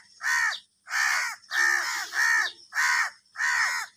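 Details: Crows fighting for food, agitated and angry: a steady run of six rough, nasal caws, each roughly half a second, evenly spaced at about one call every 0.6 seconds.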